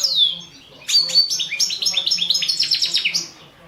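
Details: Caged Balkan goldfinch, Carduelis carduelis balcanica, singing in a world championship song competition recording from Serbia: a rapid run of bright, twittering, high chirped notes and trills after an opening downward-swept whistle.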